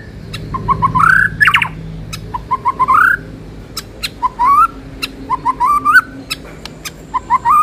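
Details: White-rumped shama (murai batu) training-lure song: repeated phrases of short whistled notes rising stepwise into a clear slurred whistle, one louder burst of sharp chatter early, the pattern recurring steadily across the recording.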